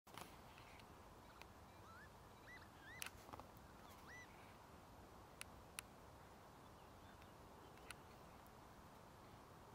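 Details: Northern lapwing (Vanellus vanellus) at Ljubljansko barje, Slovenia, 20 April 2024: several faint, wheezy, slurred 'pee-wit' whistles rise then dip, a few seconds apart, over a steady wind-like hiss and occasional clicks.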